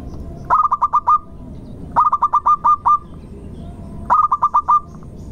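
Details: Three song phrases from a local zebra dove, played as a lure for other doves. Each is a rapid string of six or seven low, clipped coos ending in a longer held note, with phrases about two seconds apart.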